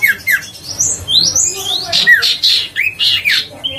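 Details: Huyt co bird song, used as a lure to prompt other birds to sing: quick rising and falling whistled slurs, some high and thin, mixed with rough squawk-like notes in a varied, restless sequence.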